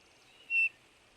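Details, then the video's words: Eurasian bullfinch uttering a single brief, pure, level whistle lasting about a fifth of a second, over low background hiss. "bullfinch pyrrhula sound bird"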